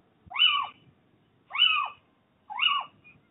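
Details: A pair of little owls mating on a roof ridge on 29 January 2023 give three plaintive, mewing calls that rise and then fall, about one per second, with faint background rustle.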